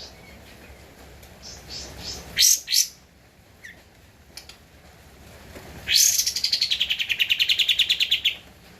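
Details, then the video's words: Javan white-eye singing for a cage-bird master recording: two sharp high chips, a quiet stretch, then a loud, fast, buzzy trill that begins with a rising note and runs for about three seconds. "Kapas Tembak Gacor untuk Masteran (suara asli)"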